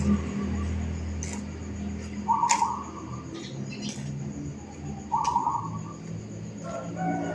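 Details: Zebra dove in a suburban housing estate giving brief rolled coos, two phrases roughly three seconds apart, over a steady low hum and scattered faint clicks.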